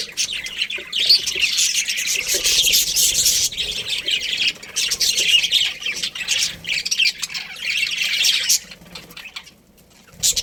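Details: Breeding pair of budgerigars squawking and twittering in a dense high chatter for about eight seconds, then falling nearly silent before a final burst of chirps.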